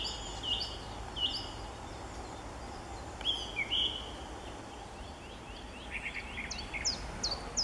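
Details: Song thrush singing high in treetops in Bavaria, Germany, in March 2014: short, clear whistled notes repeated in separate phrases, ending in a quick run of sharp, rising notes, over steady low background hum.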